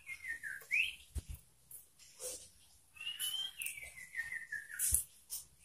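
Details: A Sooty-headed bulbul sings an insistent, varied song used to provoke rivals: clear whistled phrases, including a long slurred whistle falling from high to lower pitch, with a few sharp clicks between.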